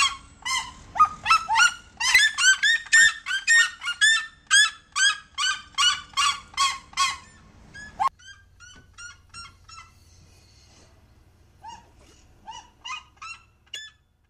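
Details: Two captive Red-legged Seriemas in a long yelping chorus: a fast regular series of loud, harsh barking notes for eight seconds, then softer, sparser yelps and short rising notes trailing off.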